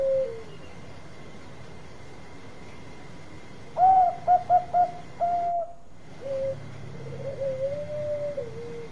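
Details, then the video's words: A Bangkok zebra dove kept for luring gives a brief coo, later four loud staccato notes and a held tone, then quieter rolling coos after a short noisy pause. "Perkutut Bangkok Gacor Suara Untuk Pikat Cepat Nyaut Bunyi"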